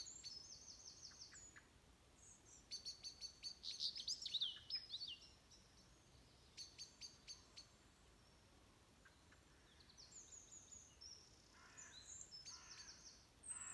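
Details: Morning birdsong at 06:45 on 22 November 2020: bursts of rapid high twittering and sharp clicks around four seconds in, then quieter gaps, with more high chirps returning near the end. Several birds call together.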